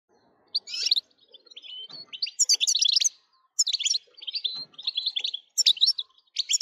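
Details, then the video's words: European goldfinch song, meant for stirring other goldfinches to sing: bursts of bright, tinkling twitters and buzzy notes separated by short pauses, with thin faint rustling underneath. "بتبتة نااار يا حبييبي ناااار لتهييج الحسون ستجعله يغرد من دووون انقطاع"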